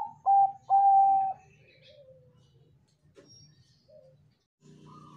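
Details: Bangkok-type zebra dove cooing, used as a lure to make other doves answer: two loud, steady, mid-pitched coo notes, a short one then a long held one, followed by faint softer notes over a low background hum.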